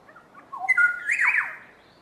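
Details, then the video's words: Black-headed Oriole duet: low fluty whistles and a long level tone overlap with a partner's loud, harsh, descending churring note, both birds calling together for about a second. "Black headed Oriole duet"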